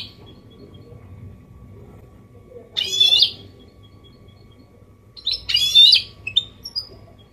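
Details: Goldfinch hybrid delivering 'copia malaga' clean song for teaching chicks and stimulating males: two harsh, buzzy, high-pitched phrases roughly three seconds apart, the second followed by a few short chirps, over quiet background.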